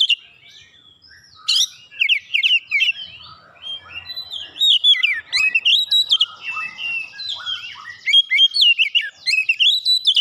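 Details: Oriental magpie-robin singing continuously to provoke other birds of its kind, with quick jumbled whistles, upward slurs and scratchy notes building into a dense, lively stream, quiet only at the start.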